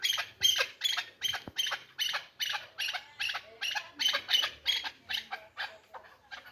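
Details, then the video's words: Tame hybrid chukar partridge calling in regular scratchy, hissing bursts, roughly two to three per second, high and raspy throughout, with a faint low hum beneath. "Кабки гибрид Дастбоз"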